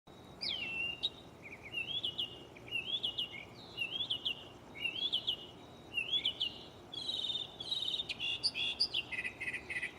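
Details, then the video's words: Mockingbird singing from a tree at night, close by, working through its varied catalog: a run of repeated whistled, slurred phrases near the same pitch, then switching to higher buzzy notes and rapid chattering at the end. "Shuffling bird chirping live on location"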